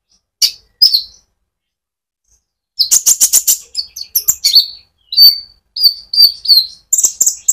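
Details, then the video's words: Rolling konin sunbird song used to stimulate other birds: two sharp chirps, a silent gap, then dense buzzy bursts followed by a series of high downslurred whistles and quick chirps. "pancingan Burung Konin gacor ngerol untuk kolibri ninja ijoan sampe metalik"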